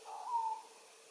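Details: An adult male screaming piha (Lipaugus vociferans) sings on a lek in Kourou, French Guiana, at 13:00 on 25 September 2023. It gives a single, extremely loud, clear whistled note that slides up slightly and holds about half a second, with faint forest hiss behind.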